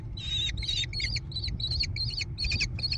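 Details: Young American kestrels in their nest box on private land near Prairie du Chien, Wisconsin, June 2022. About eight scratchy, wavering calls come in quick succession, each a harsh burst with a whining tone, over a low hum.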